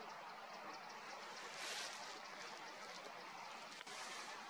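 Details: Even hiss of rushing water or distant traffic with one faint click, and no animal voice.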